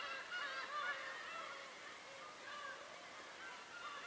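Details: Birds recorded at Tobishima: a dense chorus of overlapping harmonic, wavering calls, some rising and falling in short slurs, running continuously with no gaps and no other clear sounds.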